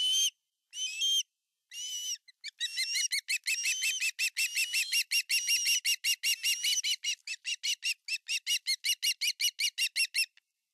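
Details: Osprey at a nest in Finland, August 2020, the male delivering a giant fish; a few long whistles followed by a fast, steady run of short piping chirps lasting several seconds.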